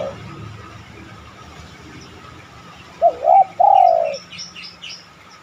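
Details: After a quiet stretch a spotted dove gives one coo, two quick notes and a long drawn descending note, followed by faint high chirps from small birds; a lure to make other doves coo.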